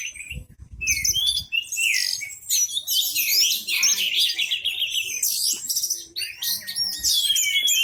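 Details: Orange-headed thrush singing at full volume with tail spread, other birds joining in; dense high twittering and warbled phrases with rapid varied notes, several overlapping singers.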